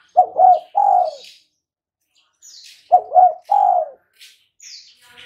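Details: Spotted dove heard as a lure to get other birds calling. Two phrases about three seconds apart, each with two quick, hiccuping coos and then a drawn-out lower coo. Thin high chirps of small birds come in between.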